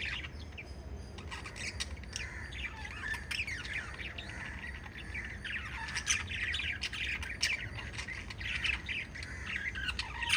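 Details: Five lovebirds chirping together as a parrot family: constant tangled chatter of short high chirps, squeaks and rising notes, with a low hum underneath.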